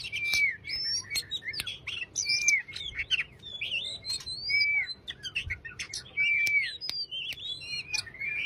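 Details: Caged Oriental magpie-robin singing a relaxed, lively song used to prompt a silent bird into singing: rapid varied high whistles, chatters and clear slurred notes, with repeated downslurred whistles and sharp clicks.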